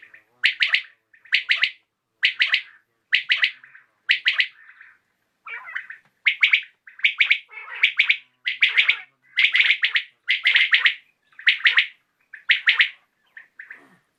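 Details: Common quail calling in the evening: sharp three-part pulsed calls, bright and clipped, repeated roughly once a second with short gaps, few other sounds.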